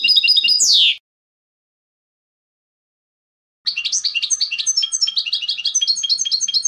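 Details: European goldfinch song: a downward-sweeping note, a pause, then a fast run of bright, tinkling, twittering phrases repeated about four times a second, high-pitched and clear with no other sounds.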